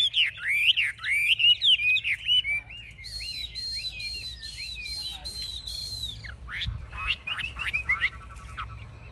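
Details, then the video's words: A caged Chinese hwamei, wings raised and tail spread, described as a fierce fighter. It gives rapid, loud twisting whistles, then a run of arched slurs with a buzzy backdrop, then sharp, rising whistled notes. "Họa mi chơi cánh cao đuôi xòe - Em này đấu ác"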